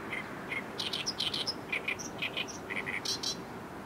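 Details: Oriental reed warbler singing by the Arakawa River in Tokyo's low-lying downtown, Japan, among many calling daily; loud, rasping repeated notes, often doubled, mixed with higher squeaky whistles in a rapid chattering run, over low city rumble.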